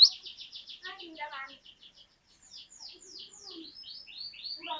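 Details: Glatik batu, the cinereous tit, singing energetically: a fast run of repeated high chirps, then a brief pause before a series of clear downslurred whistled notes, with faint lower chatter beneath.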